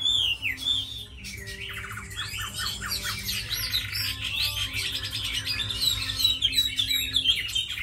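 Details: Tamed hwamei, praised for fighting well and singing beautifully, pours out a long, lively song: clear looping whistles at first, then dense rapid chatter and harsher squawky notes mixed with sweet trills, continuing without a break over a low background hum.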